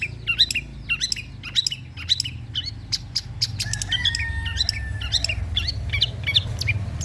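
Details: Long-tailed shrike song played to encourage reluctant birds to sing: squeaky, twanging notes repeated in quick succession, with one longer, steady whistled tone in the middle and a faint low hum underneath.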